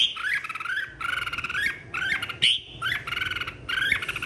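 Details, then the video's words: Contest singing from a red-whiskered bulbul in 2023, described as a stirred-up, flock-calling song: five lively chattering phrases of looping whistles that repeat roughly every 0.9 seconds, with a sharp high note near the middle. "Chào mào hót đấu 2023- Kích bổi hót - Gọi bầy"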